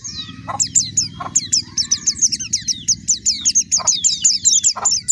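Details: Continuous rapid white-eye warbling: high, sharp chirps delivered in an unbroken stream, occasional lower clicks, and a constant low droning noise behind.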